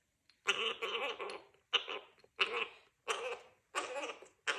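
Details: A captive male Gang-gang cockatoo (Callocephalon fimbriatum), three and a half months old, chatters in harsh, raspy bursts of about a second each, repeated roughly every 1.3 seconds, while drinking water after flight training.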